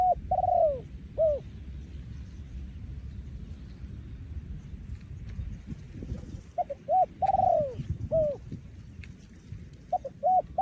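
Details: Spotted dove breeding male, 2023, delivering 'yon khu ang' style cooing: two coo phrases at the start and a run of stuttered and drawn-out coos near the end, separated by a quiet stretch of low background noise.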